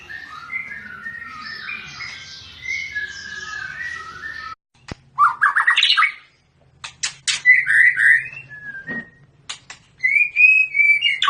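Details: Pairing of long-tailed Medan white-rumped shamas for breeding. A soft, busy warble gives way, after a brief silence, to loud upslurred whistles, sharp clicks and rattling bursts, ending in clear rising whistled notes over a faint low hum.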